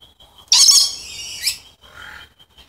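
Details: A Moluccan red lory, pure subspecies, lets out one long, piercing raspy screech followed by a softer, lower rasping call.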